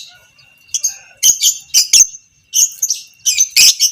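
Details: Fighter lovebird, creamino colour type, giving shrill repeated chattering bursts of the ngekek panjang style used to train other lovebirds; quiet start, then sharp screechy phrases coming every half second or so.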